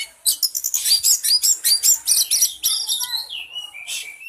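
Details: Oriental magpie-robin song for provoking a caged bird: rapid run of high scratchy chips, about two and a half per second, ending in a few clearer falling whistles.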